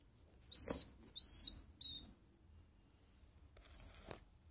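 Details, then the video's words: Small pigeon uttering three sharp, high squeaky calls in quick succession within the first two seconds, followed by near silence and a faint click. "small pigeon sound"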